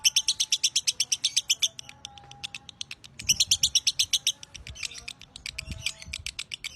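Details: Lovebird singing a long-drawn narik panjang song used as a training master: a fast run of sharp, high, clicking chirps, a brief looser pause, then another dense burst of chatter.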